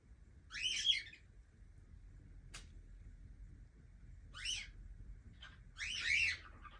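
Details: Pet young cockatiel producing three buzzy, rasping calls, the last one longer and louder, with a single sharp click between them and a soft low background hum.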